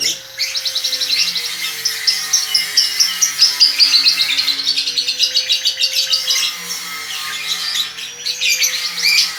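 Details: One-and-a-half-month-old lovebird in long konslet chatter: a fast, unbroken run of high squeaky twitters pulsing more than twice a second, briefly pausing before resuming, with a soft wavering hum in the background.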